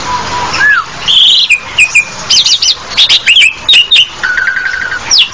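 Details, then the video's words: An Asian pied starling gives a varied jumble of sharp whistles, rising and falling squeaks and a brief buzzy rattle, delivered in quick bursts with short pauses. "SUARA JALAK SUREN"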